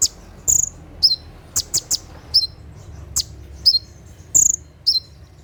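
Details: Night 'tembakan' song of a konin, the olive-backed sunbird, for tutoring caged birds: shrill high chips alternating with short descending whistles, roughly two per second, against a quiet low background.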